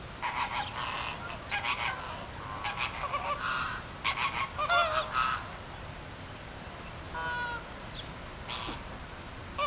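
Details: Flamingos at Philadelphia Zoo flocking together and circling with flapping wings; bursts of nasal, goose-like honks from many birds come in clusters, with a clear drawn-out honk near the middle, over constant crowd-like hiss.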